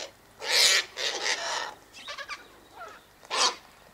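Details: Sulphur-crested cockatoo flock feeding on tossed sunflower seeds and wheat by an eastern gate: a long hoarse screech, a rough follow-up, some softer gurgling notes, then one more sharp harsh squawk.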